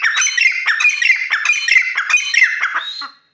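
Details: Black francolin giving a loud, harsh, grating call: a rapid run of squawky, rasping notes repeated roughly every third of a second for about three seconds, then ending abruptly.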